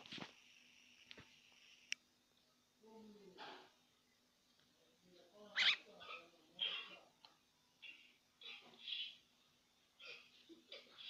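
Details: A pet myna, flying, gives harsh, scratchy bursts and rasping chatters at irregular intervals, with a few sharp clicks, a low steady hum and brief murmured speech.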